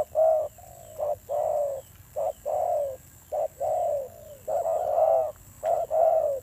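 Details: Spotted dove, a freshly caught wild bird, cooing in a fierce tone, deep hollow notes in short-long pairs at roughly one pair per second, the long notes gently falling, over a faint steady high whine.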